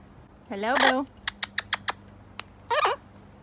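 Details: A pet monk (Quaker) parakeet at home in Texas during lockdown talks in short, voice-like phrases separated by a quick run of sharp clicks.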